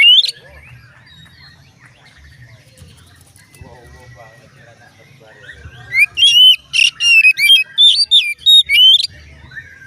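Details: Faint low murmur and soft calls for several seconds, then an Oriental magpie-robin delivers a loud, fast series of clear whistled notes and flourishes, a song claimed to make other magpie-robins start singing.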